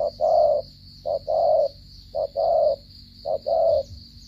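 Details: Spotted dove from Cà Mau, Vietnam, giving a stuttering coo: short low coo then a longer held coo, the pair repeated four times about once a second, over a steady high-pitched whine and faint low hum.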